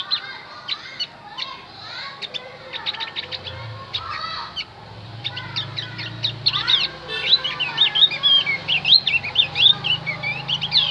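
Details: Javan grey-throated white-eye song used as a lure to draw wild birds to answer: a dense run of high, sharp chirps and short whistled notes, busier and louder toward the end, over a low rumbling background.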